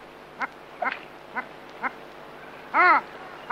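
Long-tailed duck giving four short nasal hoots about half a second apart, then a louder drawn-out arched hoot.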